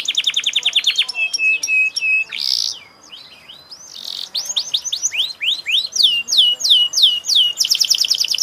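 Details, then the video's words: Canary in full song: rapid rolling trills, steady high whistled notes, a brief pause, then long runs of quick downward-slurred chirps and a closing buzzy trill, all bright and high-pitched. "kenari gacor"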